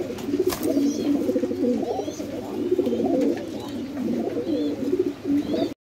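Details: Domestic fantail pigeons with red tail marks, housed at a Bangladeshi pigeon farm, utter rhythmic bubbling coos in repeated phrases about every second, with soft high chirps from other birds and a brief knock near the start.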